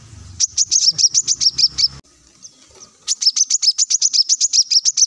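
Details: Plain-throated sunbird singing continuously, recorded as a lure to coax other songbirds into song. Rapid, high, piercing chips pour out several per second in two bursts separated by a short pause, with a faint low rumble early on.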